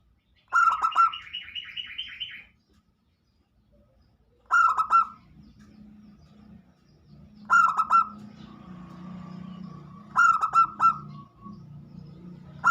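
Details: Local zebra dove song used as a lure to make other birds sing: bursts of rapid, stuttering, cooing notes, each about a second long and repeated every few seconds. A softer, drawn-out note follows some bursts.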